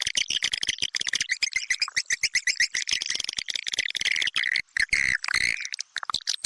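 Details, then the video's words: Edible-nest (Indonesian) swiftlet calls: rapid, dry, high-pitched chirps and twittering trills, densely repeated, with a buzzy rattling texture throughout. "suara pangil burung walet (sp pangeran walet)Indonesian swiftlet,สวิฟเล็ตอินโดนีเซีย"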